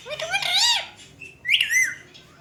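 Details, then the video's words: Pet Indian green ringneck parrot talking at a mirror: a rising, wavering nasal phrase, a short pause, then a second higher, arched speech-like call falling off at the end. "Talking Ringnecks Family Together // Parrots Talking In Mirror"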